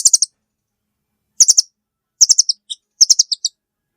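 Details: Velvet-fronted nuthatch making rapid strings of sharp, high chips, four bursts over a few seconds, each ending in softer lower notes; otherwise silent.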